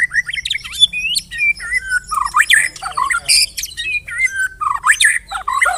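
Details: Shama pancingan lure song: varied, squawky, slurred phrases mixing harsh buzzy notes with swooping whistles and mimic-like calls, delivered in an uneven, busy stream.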